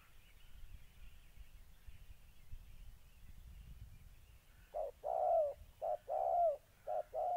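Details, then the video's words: Spotted dove, molting caged decoy confronting a fierce wild dove in Gia Lai, Vietnam, 14 August 2020: nearly five seconds of faint background hiss, then three loud phrases of a short hoot plus a long coo. "Cu gáy"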